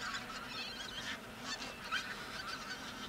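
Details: Pink-footed geese, part of a large flock feeding on left-over grain near Verdal, Norway, in October 2018; dense overlapping honking and high yelping calls from many birds, a steady busy chorus with no clear pauses.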